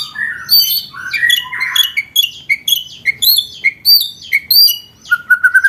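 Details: White-rumped shama training song for contest birds: a series of bright, high whistled and chipping notes in short separate phrases, ending with a quick run of repeated notes.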